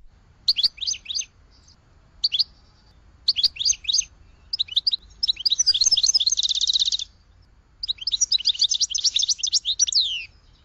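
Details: Goldfinch uttering short clusters of twittering chirps repeated every second or so, building into longer rapid buzzing trills with falling ends.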